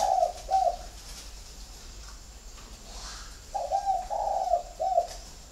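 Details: Spotted doves from a flock kept at a bird garden in Ba Vì, Hanoi, Vietnam: two mellow, low cooing phrases, each a few hoarse coos ending in a short final note, separated by a quiet gap of about two seconds.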